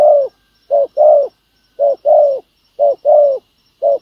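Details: Spotted dove cooing during trapping with a ground decoy bird that lures a wild field dove. Deep, mellow coos come in short-long pairs, a brief note then a longer falling one, repeated about once a second against a quiet background.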